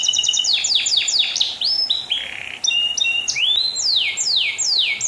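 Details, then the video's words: Canary song used as a training recording for other birds: loud, fast sequences of descending whistled sweeps, short repeated chips and sustained buzzy notes, delivered in a continuous varied stream with no other sounds. "Kenari gacor"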